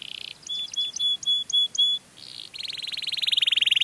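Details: Sweet canary song used as a lure for other canaries: a short harsh buzz, a row of pure level whistled notes, then a long fast buzzy trill rising in volume.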